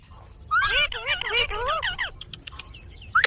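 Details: Talking Indian ringneck parakeet: a quick burst of warbling, speech-like syllables with looping pitch, then faint clicks and a short sharp note at the end.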